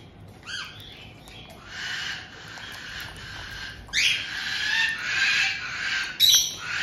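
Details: White-bellied caiques kept indoors in Tokachi, Hokkaido, June 2023, with an adult pair welcoming a young bird just over two months old. Short chirps give way to long, harsh, grating screeches that swell in loud waves.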